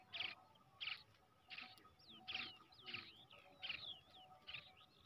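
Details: Quieter series from a hand-raised brown shrike chick: short harsh chirps about every half-second, interspersed with thin sliding whistled notes, over a soft background hiss.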